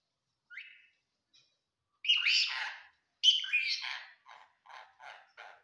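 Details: Talking parrot mimicking Assamese words and hello: a short high note, then two raspy speech-like phrases, followed by a run of four quick clipped syllables at a steady pace.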